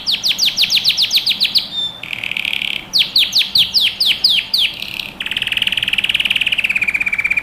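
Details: Yellow canary singing a training song for young birds: rows of fast descending chirps broken by short buzzy trills, ending in a long, very rapid rattling trill.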